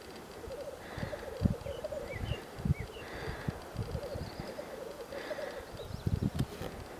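Black grouse give a steady, low bubbling cooing that runs without a break, with a few brief higher notes over it. Wind rumble and thumps sit underneath.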